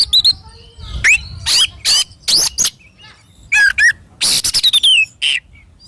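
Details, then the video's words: Energetic Oriental magpie-robin song meant to coax pet birds into singing: loud, harsh raspy bursts alternate with sharp descending whistles, each burst under half a second and separated by short quiet gaps. "SUARA BURUNG KACER GACOR COR"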